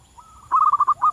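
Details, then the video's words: Wild local zebra dove singing in its natural habitat: a soft lead-in note, then a loud, rapid series of clipped cooing notes at one steady mid pitch, with a short pause before a final coo. "suara burung perkutut lokal di alam liar gacor durasi panjang"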